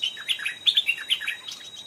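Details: Stripe-throated bulbul, a wild bird calling back to a caged decoy, an aggressive old individual that entered the trap area twice. A quick series of bubbly, bouncing notes, each rising then falling, packed into under two seconds over a faint constant whine.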